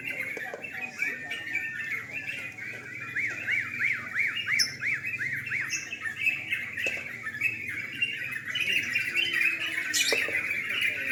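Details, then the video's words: Night singing contest of sooty-headed bulbuls. One bird dominates early on with a quick, regular series of zigzagging rising-and-falling notes, about a dozen in three seconds. Other birds chatter in a busy, overlapping chorus throughout, with occasional sharp clicks. "Lomba burung trucukan"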